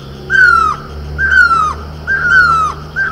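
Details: Great (Himalayan) barbet, locally called mewli, perched on horse chestnut blossom in Garhwal, Uttarakhand, India: loud, plaintive mewing notes, each sliding downward, repeated about once per second against a faint background hum.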